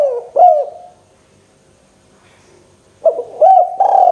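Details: Excited local spotted dove calling to provoke a rival into quick calling: a short pair of soft hooting coos, then about two seconds of silence, then another burst of coos ending in a long sustained hoot.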